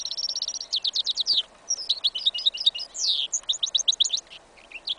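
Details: Goldfinch × canary hybrid, yellow isabel, singing in a field in winter: continuous lively song of rapid trills, sharp chirps and a slurred descending note, phrases changing every second or so.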